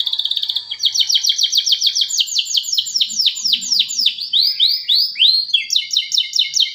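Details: Canary lure song for birds that have stopped singing: a quick rattle gives way to strings of rapid downward-slurred notes, slowing and speeding, ending in a bright, clipped trill. High-pitched and continuous throughout.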